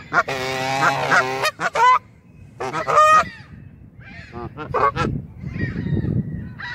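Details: Canada geese apparently objecting to being photographed; a long harsh honking burst followed by shorter nasal honks and softer calls, fading into low background noise.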